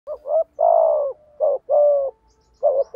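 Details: Spotted dove singing in the 'thổ' voice style with 'thúc gù' cooing, used to stir up wild doves: low, hollow coos, short paired notes each followed by a long, drawn, slightly falling coo, repeated three times.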